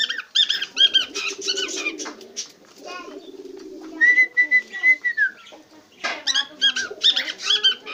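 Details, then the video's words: Cockatiel singing bursts of harsh chirps and chatter, interrupted by a clear, level whistled phrase that falls away at the end, then more rapid chirping. "Singing Cocatek Bird"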